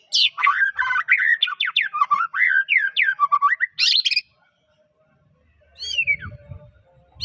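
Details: White-rumped shama of the Medan type sings a fast varied stream of swooping whistles and harsh bursts, a song said to set other shamas singing; then a pause, low rumbling noise and one falling whistle.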